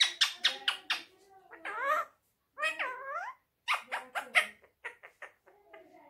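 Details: Pet Indian ringneck parrot mimicking human speech, the phrase given as "Miyan Mitthu Churri Khani Hai": quick clipped syllables, then drawn-out wavering voiced words rising and falling in pitch, then further short clicks and syllables.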